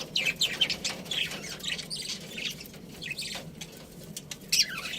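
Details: Pet budgie chirping: soft, scratchy warbling and short chattering notes, fairly quiet, with brief louder squeaks near the end.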